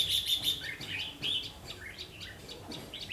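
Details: Red-whiskered bulbul at a double-spring trap, 5 pm on 3 September 2016; three rapid high thin notes open, followed by a run of short downslurred whistles and a final bright chirp.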